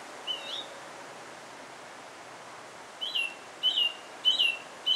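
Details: Song thrush in Alkmaar, Netherlands, singing clear high whistled phrases: one early note, then after a pause a bright chirped phrase repeated three or four times in steady rhythm over soft environmental noise.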